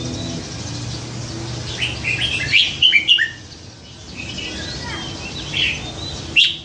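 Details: Red-whiskered bulbul, a caged bird hand-caught as a sickly juvenile beside a canal and raised nine months, known for varied songs; short bright whistled phrases in scattered bursts over low background hum.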